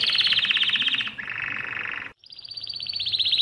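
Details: Mosaic canary delivering continuous rapid trills, a high rolling tour easing lower, a deeper buzzing roll, a brief pause, then another bright fast trill.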